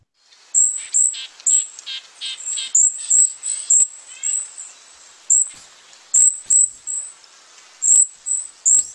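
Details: Golden-crowned Kinglet, typically high in trees, singing a string of very high, thin, sibilant notes, repeated unevenly over several seconds, near the upper limit of hearing. Faint lower chatter sits beneath.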